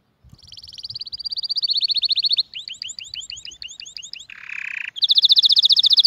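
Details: Canary song, presented as an error-free model for teaching young birds and stirring males and females to mate: a rapid high trill that rises in loudness, then looping slurred notes, a brief harsh buzzy burst and a final dense rapid trill.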